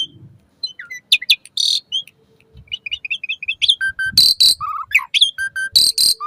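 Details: Asian pied starling song for training caged birds, morning and evening: varied squeaks and chatter building into repeated harsh rasping bursts between steady whistled notes.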